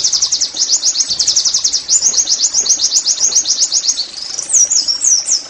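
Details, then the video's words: Oriental white-eye (pleci) singing in a "nembak" style, used as therapy to make caged birds sing eagerly: rapid high chirps in fast trills, ending in a few rising and falling whistled notes. "TERAPI NEMBAK PLECI I, Agar Pleci anda cepat GACOR BOS!!"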